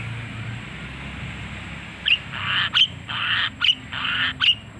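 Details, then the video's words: White-rumped shama giving an odd, unusual sequence: harsh, hissing buzzy bursts alternating with sharp, sudden click-like notes, after a quiet stretch of low background hum. "Murai Batu Suara Aneh"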